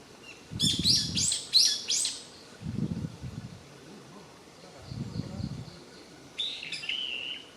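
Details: Japanese paradise flycatcher at Yotsuike Park, Hamamatsu, Japan, giving four quick buzzy, harsh notes in a row, then a short whistled phrase after a pause, with dull low thuds in the background.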